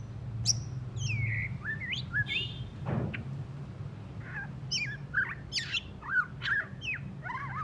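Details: Post-moult song of a white-rumped shama, still rough: a looping whistle and rising slurs, then a run of rapid varied notes and sharp twitters, with one brief noisy thump partway through.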